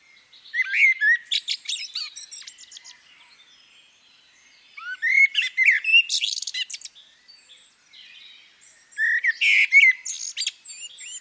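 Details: Female common blackbird singing three bouts. Each begins with low slurred whistles and breaks into harsh, rapid high twittering, with brief quiet gaps between bouts.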